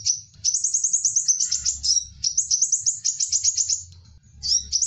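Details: Crimson sunbird call used as a lure for wild birds: rapid high twittering trill of sharp repeated notes running almost continuously, with a short break near the end and a faint low hum.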